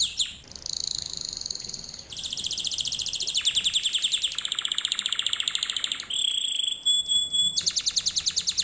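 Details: Canary song for canaries to learn from: sustained trilled tours at different pitches, a very fast dense roll, then pure level whistles with a high overtone and a closing rapid trill.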